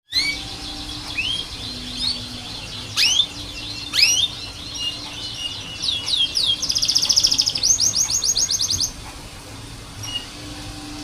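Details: Canary song used as a tutor recording for training canaries: scattered sharp upswept chirps, then a fast rattling trill of repeated notes and several quick rising notes, over a faint steady background hum.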